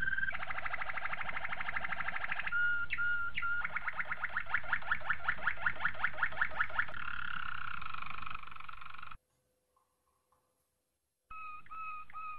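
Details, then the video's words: Training song of a Malinois Waterslager canary: a fast bubbling trill, brief pure whistles, then a slower rolling series of pulsed notes and a held tone, a pause of silence, and whistling resuming. "Malinois Waterslager Canary Training Song"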